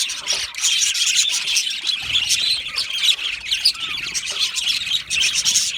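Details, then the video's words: Happy Australian budgie colony chatter: many birds warble and chirp together in a bright, buzzy, high-pitched stream, punctuated by sharper squawky calls. "Australian Budgie singing and chirping sounds"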